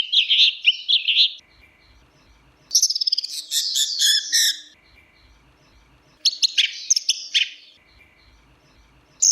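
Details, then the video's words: Orange-headed thrush singing three dense bursts of rapid, high, chattering and warbled notes separated by quiet gaps, with a faint low background hum. "Kicau Anis Merah Teler"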